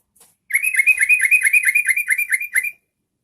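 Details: Yellow-vented bulbul singing to set off other bulbuls: a two-second burst of quick, bright notes with a slightly uneven rhythm, each note rising and falling, delivered in a rapid chattering sequence over quiet surroundings.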